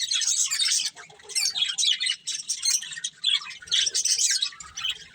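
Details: Pet budgerigars from a breeding pair chatter in pulsing bursts: scratchy high chirps and squawks come in clusters about every half second, with quieter gaps and faint low background noise.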